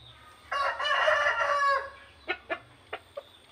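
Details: Burmese rooster kept on a rural chicken farm in Indonesia, crowing in the morning: one harmonic, rasping crow held for over a second, then four short, sharp clucks spaced across the next second.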